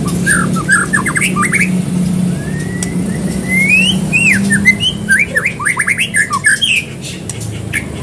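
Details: Energetic white-rumped shama song recorded as a lure to make other birds sing: rapid upslurred notes, a long rising whistle, and dense runs of quick varied syllables, over a low humming background.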